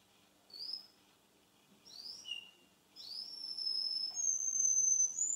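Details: Russian canary, a male, singing indoors: scattered high whistled notes and slurred rising phrases, building into a sustained pure high whistle with a faint overtone, quiet room between phrases.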